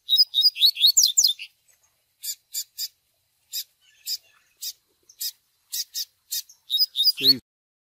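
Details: Caged double-collared seedeater 'Tui Tui' song paired with chick peeps for breeding: quick rising whistled phrases at start and end, separated by a series of sharp high chips, ending with a short low buzzy sound.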